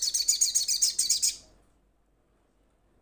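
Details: A crimson sunbird, a kept bird, calls to companions with a single high, rapid trill of sharp chips for just over a second, then silence and the start of another note.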